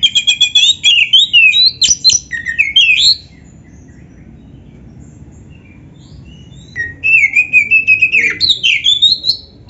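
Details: Oriental magpie-robin singing a champion-style mimicry-filled song meant to make other magpie-robins answer: rapid high whistled and chattering phrases over three seconds, a pause, then another sweeping, rising burst of varied notes.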